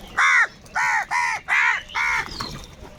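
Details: Crow giving five loud, harsh caws in a steady series, each about a third of a second long with a slight downward bend, spaced roughly half a second apart, faint calls of other crows behind.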